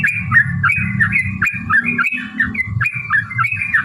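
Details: Yellow-vented bulbul (trucukan) in fast chattering song, used as a lure to make other bulbuls answer; bubbly, warbled phrases roll out in quick succession over a steady low rumble of background noise.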